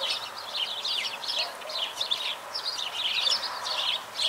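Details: Chorus of chirping sparrows, many quick high twittering notes overlapping in bursts with barely a pause, against a steady soft background hiss.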